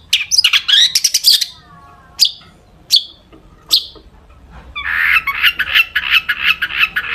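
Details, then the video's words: Long-tailed shrike in full, active song packed with mimicked fill-in phrases, used as a lure to make other shrikes sing; dense high chattering burst, a few sharp separate notes, then a fast continuous scratchy warble. "cendet gacor FULL ISIAN buat PANCINGAN CENDET AGAR BUNYI"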